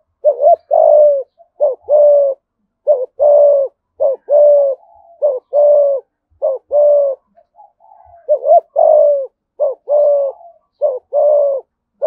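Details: Rapid thúc gù calling by a Đồng Nai spotted dove with a thổ voice: a long run of low paired coos, quick short note then sustained hollow tone, roughly fifty per minute, briefly interrupted by soft murmurs.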